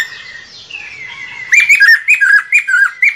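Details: Lesser necklaced laughingthrush used as a trapping lure: a soft descending whistle, then a quick series of loud, clear, clipped whistled notes repeated several times a second.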